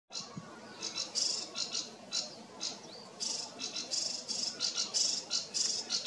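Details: A Sedge Warbler sings very close by, among reeds and waterside vegetation, alongside other sedge warblers: a fast, scratchy, chattering medley of short, high buzzy bursts and rattles, with one brief slurred whistle.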